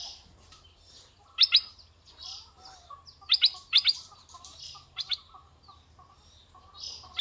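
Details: Red-eyed bulbul used as a decoy bird gives sharp, quick doubled notes in clusters several seconds apart, with softer twittering from other birds in the background.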